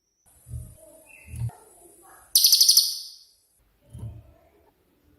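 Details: Cililin 'tembakan' master song: a steady thin high whine and low thumps, then a one-second burst of very high rapid pulses that fades away, followed by more knocks.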